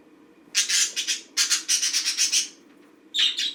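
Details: Green budgerigar kept as a pet, daily routine: loud, harsh, buzzy chatter in rapid pulses, two runs of rasping notes followed by a short squawk, over faint room hum.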